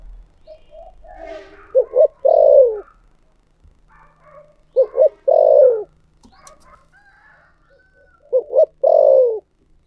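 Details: Spotted dove singing in the thổ sấm style. Three phrases, each two quick coos and a long low coo that drops in pitch. Faint chirps, a soft click and low background noise come between phrases.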